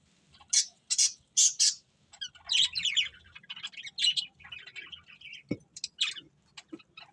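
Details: Pet budgies chattering happily during a meal. Three loud, harsh chirps open the passage, followed by softer warbled twitters and scattered quick tweets, with a brief dull tap midway.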